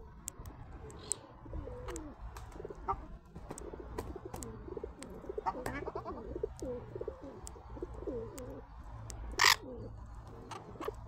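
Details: Ruddy shelducks, eating and squawking, give a steady stream of overlapping nasal, wavering honks, with sharp clicks and one loud knock near the end.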